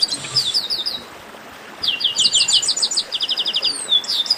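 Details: Baderna of Chestnut-capped blackbirds, used to warm up singing birds. Fast, rhythmic series of high chip notes, roughly ten per second, and overlapping trills follow a brief quiet gap, ending in a falling whistle.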